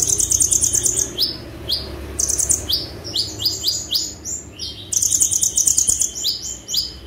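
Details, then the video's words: Kolibri ninja, an olive-backed sunbird, in full 'tembakan' singing for a master recording: piercing buzzy trills open and close the passage, with sharp upward-slurred high notes scattered between, all very high and energetic. "KONIN GACOR FULL TEMBAKAN"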